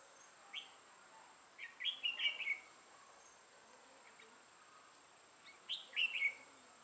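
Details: Red-whiskered bulbul with a dark throat and bold bib, a decoy bird used for trapping, recorded 6 November 2018; two short bright warbled phrases a few seconds apart over a faint steady hum.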